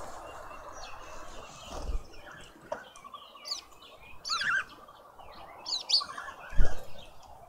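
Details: Red-billed quelea at a suburban garden feeder in Pretoria, South Africa: bursts of twittering, rapidly modulated chirps come in several clusters, with occasional low thumps and faint background hum.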